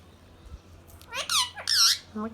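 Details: Indian ringneck parrot kept as a pet calling indoors: two rough, rising screechy squawks in quick succession with a brief lower note at the end, amid faint room noise and a person speaking Thai nearby.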